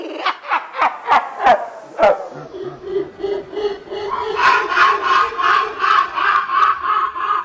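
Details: A male lyrebird mimicking in its winter courtship display to a female, apparently including a kookaburra: sharp clicking notes about three per second, then a rich, cackling, laugh-like passage repeated at a steady pulse.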